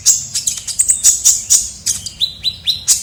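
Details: Kolibri ninja sunbird, a lively lure sound for attracting birds: quick series of very high, sharp chirps about four per second, then short dropping whistled notes repeated several times.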